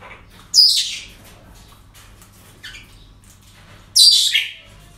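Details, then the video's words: Parrot at a breeding centre on an ordinary day, giving two loud, harsh, high squawks about three and a half seconds apart, with a faint shorter call between them over a low hum. "Relajación Loros En El Centro De Cría"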